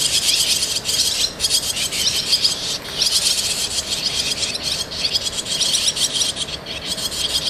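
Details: Barn swallow nestlings going in and out of the nest, a dense continuous chorus of high, shrill twittering begging calls that barely pauses.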